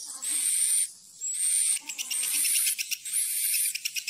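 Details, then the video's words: Swiftlet calls played to lure swiftlets into a building to roost: very high thin whistled notes stretching out and then breaking into fast clicking chatter, repeated in bursts. "Suara panggil burung wallet menginap"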